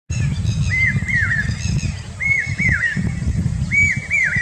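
Common hawk-cuckoo giving loud whistled phrases, each a rising then dipping note around two kilohertz, repeated in pairs about every second, over a steady low rumble of background noise.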